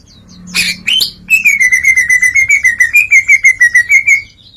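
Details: Greater green leafbird singing ngeplong with imitated phrases: two harsh opening notes, then a quick even run of whistled notes holding nearly one pitch, about five per second.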